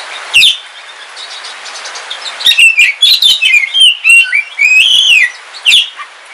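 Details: Caged dark Kalimantan oriental magpie-robin singing on a rainy day: a sharp opening note, a quiet hissy pause, then a lively string of varied whistles, trills and downward slurs.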